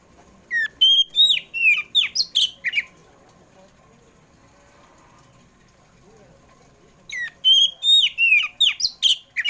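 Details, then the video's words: Oriental magpie-robin afternoon song meant to coax pet birds into singing: two rapid runs of sharp whistled notes and downward slurs, each about two seconds long, separated by a quiet gap, over a low constant hum. "PANCINGAN KACER.KACER POCI RUMAHAN JENIS APAPUN PASTI IKUT GACOR NGEPLONG DENGAR SUARA INI"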